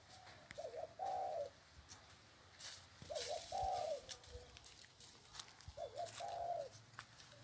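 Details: Spotted dove cooing: a short two-part phrase, a quick double note followed by a longer hoarse coo, repeated three times about every two and a half seconds, with faint clicks and outdoor background.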